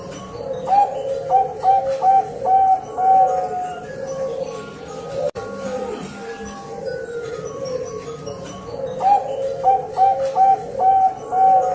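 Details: Female zebra dove (Bangkok perkutut) calling to attract a male, used as a lure: two bursts of soft, quick, staccato cooing notes, about five in each, over a steady low background hum.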